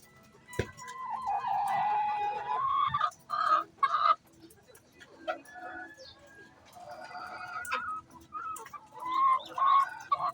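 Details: Hen calling before laying eggs: drawn-out nasal squawking phrases rising and falling, broken by short clucks and pauses, with a sharp knock early on.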